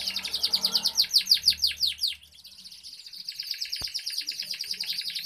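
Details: Canary in cengkok aduhay style song: loud, regular downswept whistled notes repeated about three per second, then a softer fast buzzy trill continuing to the end, with one click.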